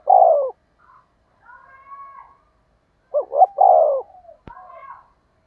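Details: Spotted dove used as a lure for wild doves. A long coo opens, then soft murmuring. Later comes one full phrase of two brief hoots and a sustained low coo, and a sharp click is heard.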